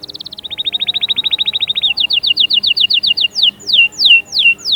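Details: Singing canary, used to spur chicks to start singing and to prepare females; a rapid high rolling trill slows into a run of clear repeated notes, then ends in loud, drawn-out downslurred whistles spaced about half a second apart.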